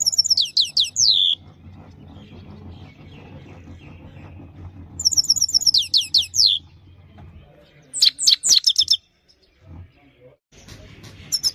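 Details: Himalayan goldfinch in clean-voiced training song: three bursts of high, fast, twittering notes with sliding whistled elements, separated by pauses of several seconds, over a steady low hum.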